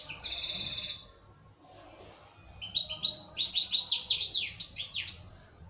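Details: Algerian local European goldfinch, a kept bird, sings a buzzy high trill, falls quiet for over a second, then pours out a series of quick falling chirps and twitters.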